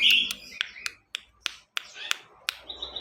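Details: Ciwah song for tutoring other songbirds: a string of sharp clicking notes, about three per second, with buzzy chatter and a short steady high trill at the end, over quiet indoor background noise.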